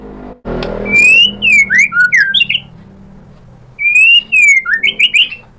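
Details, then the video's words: White-rumped shama lure song meant to provoke singing: after a thump, bright high whistles slide down into quick looping notes, then a pause and a repeat of the same phrase. "PANCINGAN MURAI BATU biar EMOSI NYAUT jadi GACOR BONGKAR ISIAN | SHAMA BIRD"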